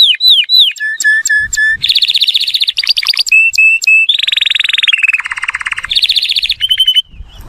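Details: Serinus canaria singing, meant to teach chicks and encourage males: down-slurred whistles, spaced steady notes, then a sequence of rapid rattling trills shifting between higher and lower pitch.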